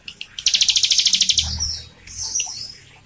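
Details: Prinia song played to draw out singing from a young or silent captive bird: a fast, high, even trill of about fourteen clicking notes lasting a second, followed by softer thin whistles.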